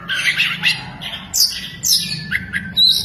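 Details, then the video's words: Singing Oriental magpie-robin with fanned tail, copying lovebird sounds: buzzy squawking chatter followed by high sweeping whistles and sharp chirps, with a faint low hum beneath. "BURUNG KACER BUKA EKOR SAMBIL NEMBAK" | ISIAN LOVEBIRD KACER"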